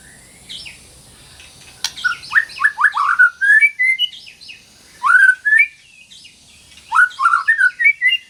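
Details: Female white-rumped shama calling a male while in breeding condition, training song for shamas that stopped singing: varied, fast phrases of sharp upslurred and downslurred whistles, some high and thin, in three clusters, with a single sharp click early on.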